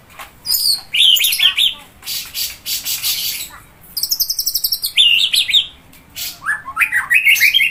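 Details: White-rumped shama, a forest bird of Sumatra, the Malay Peninsula and Java, singing bursts of buzzy high rattles mixed with looping whistled phrases, separated by short pauses.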